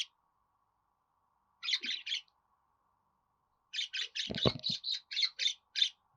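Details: Budgerigar sounds played to help a pet budgie sing: three quick buzzy chirps, a pause, then a steady chattering string with a brief low thump.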